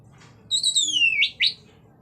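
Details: Orange-headed thrush singing in lively ngeplong style to prompt other thrushes into song. A long high whistle slides steadily downward and ends in two short, loud rising notes.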